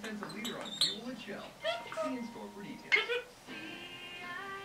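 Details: A 10.5-month-old female red-bellied parrot chatters in a quick run of speech-like mimicry, scratchy squawks and bright whistled notes, ending on a steady, reedy whistle.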